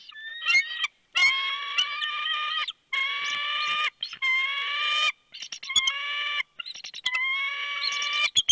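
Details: Bald eagle at its nest on a camera at Big Bear, February 3, 2020, about 4:17 PM, as a nice-sized fish arrives: a series of drawn-out, whining calls about a second each, clear and harmonic, broken by short sharp notes and brief gaps.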